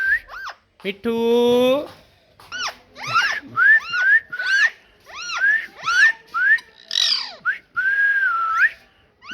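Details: Parrot talking with a buzzy, harsh, squawk-like syllable followed by a string of quick rising whistled notes, roughly one every half second, ending in a longer drawn-out whistle that bends upward.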